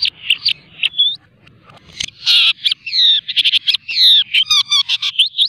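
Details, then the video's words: Hand-reared long-tailed shrike, fed insects each morning and evening, pours out a varied 'tembak rapat' song of dense high chirps, buzzy trills and quick rising whistles with almost no pauses. "Burung Cendet Gacor | full isian | tembak rapat"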